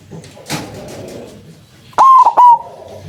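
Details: White zebra dove, loud-voiced, used to lure doves that then answer: low background murmur, then one strong clipped coo, three quick broken notes ending in a held, level tone.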